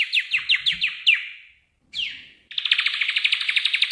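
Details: Magpie-robin song used as training audio to coax a bird that has stopped singing: fast runs of bright repeated chirps, a brief pause, one sliding note, then a dense rapid trill of high notes.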